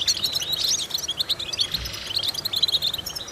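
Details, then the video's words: European goldfinch singing a vocal training sequence: quick ringing chirps and twittering notes packed closely together, with a faint low thump midway, lasting just over three seconds. "important vocal exercises necessary to stimulate goldfinches"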